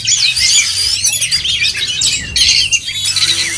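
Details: At a singing contest, oriental magpie-robins pour out rapid, high whistles and buzzy trills; a louder burst of overlapping song rises about two thirds of the way in.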